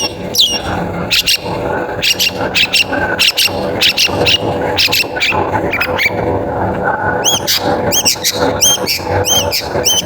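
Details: Long-tailed shrike singing to prompt other shrikes into song; rapid clicky notes at first, giving way to a steady run of clear high downward-sweeping whistles, over a low background hum.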